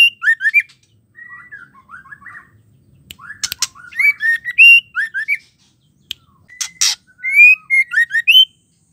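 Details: Singing female white-rumped shama, a sound said to rouse males into song: loud, varied whistled phrases with quick rising notes, buzzy trills and sharp clicks in bursts, with short silences between the runs.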